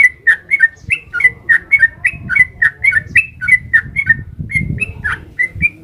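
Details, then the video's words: Sooty-headed bulbul delivering a long rapid song meant to make other bulbuls reply: paired whistled notes, falling then rising, in a lively run of about three per second, with faint low rumble. "Suara trucukan gacor ropel panjang jadikan burung trucuk nyaut gacor seketika"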